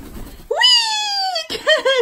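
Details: Three-year-old male yellow-headed amazon parrot, kept as a pet and doing a jump trick indoors: a long, clear, slightly falling whistled note lasting a second, then two short rising-falling whistles.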